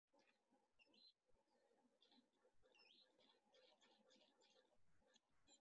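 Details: Grey-backed Camaroptera in Namibia gives rapid, dry clicking bursts like a camera shutter on rapid fire, repeated over and over against a steady low hum. Finding: Grey-backed Camaroptera.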